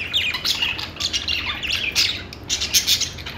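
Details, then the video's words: Budgerigars, called parakeets and Australian parrots, singing: dense overlapping chattering chirps and warbles, bright squeaky notes tumbling continuously with short squawks, several birds calling at once. "budgies singing | budgie sounds | parakeet chirping sounds"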